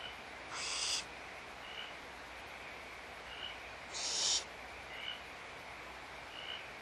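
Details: Barn owls feeding in the nest at Audubon Starr Ranch Sanctuary: two loud rasping hisses about three seconds apart, with brief faint high chirps scattered between them.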